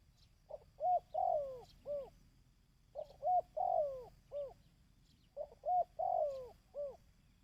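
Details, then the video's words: Dove calls used to excite and train decoy birds: three phrases of soft, hollow coos, each of four notes with the third longest and swelling, repeated about every two and a half seconds against a quiet background. "Tiếng Chim Cu"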